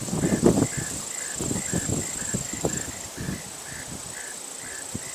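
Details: A preening, napping Short-billed Dowitcher in a large marsh on Assateague gives a steady string of soft, paired mellow notes, several each second, over low rumbling thumps and a thin high hiss.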